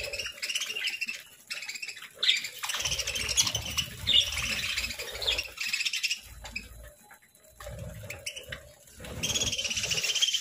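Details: Caged pet parakeets chattering at a morning breakfast of fruit and seeds: dense runs of bright, high chirps and twitters in bursts of a second or two, pausing briefly between, over a faint low hum.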